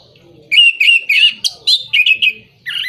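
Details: Orange-headed thrush song meant to rouse moulting birds or birds not in breeding condition: after a brief quiet start, a string of clear whistled phrases and sharp upslurred notes, ending with a renewed burst.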